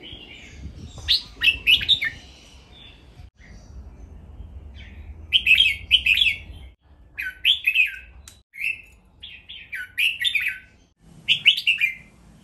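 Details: Caged red-whiskered bulbul giving training song in the playful 'len rik' style: repeated short, liquid, warbled whistle phrases every second or two, with quiet gaps between.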